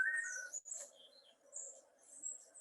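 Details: Long-tailed Manakin, tropical Americas (often seen in Costa Rica), gives a brief, mellow whistled toledo call of about half a second, part of a collective courtship display by two males, over a steady low hum and faint hiss.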